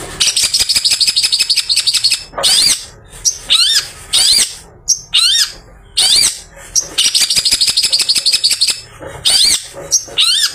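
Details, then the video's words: Long-tailed shrike singing after bathing, a song used in the afternoon to lure other shrikes: bursts of fast, harsh, high chattering notes alternate with short sharp upslurred whistles. The chatter runs in quick repeated series, with brief pauses between phrases. "Burung Pented Habis Mandi Bikin Seger || Cocok Buat Pancingan Pented Sore Hari"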